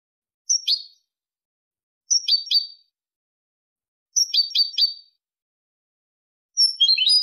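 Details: European goldfinch singing the Malaga song type, used for tutoring goldfinch and hybrid chicks: high, thin, tinkling bursts repeated about every two seconds, each a clear whistled note followed by a quick run of two or three sharp twittering notes.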